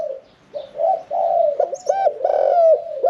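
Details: Caged spotted dove, kept one year four months, singing in the Thai 'khan yon 1 kuk' style with a medium-pitched voice; short low coos rise and dip in quick succession, with a few faint higher chirps overhead.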